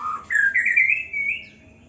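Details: One young white-rumped shama kept in an aviary in Indonesia gives a single sweet whistled phrase that starts low, jumps up and climbs gradually, lasting under two seconds.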